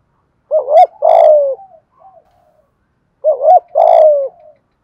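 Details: Spotted dove from Đồng Nai, Vietnam, cooing to lure wild doves: two loud phrases about two and a half seconds apart, each a looping double note followed by a long, strong falling coo.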